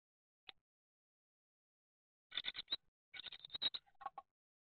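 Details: Great tit at a nestbox on 19 April 2019 during nest building: a single faint tick, then two quick bursts of harsh, rapid chattering notes and a couple of lower closing notes; otherwise quiet.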